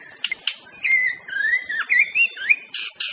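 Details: White-rumped shama of the Aceh type singing a master song: clear, slurred whistled phrases rising and falling, linked in a flowing run, with a few short sharp chips before and after and steady high-pitched hiss behind.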